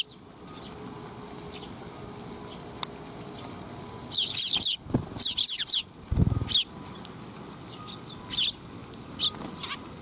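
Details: Sparrows gathering for food at a Tenmangu shrine, 12 July 2021. After a quiet opening, a burst of rapid, overlapping high chirps rises in the middle, then a few scattered single chirps follow. A low thump sounds midway.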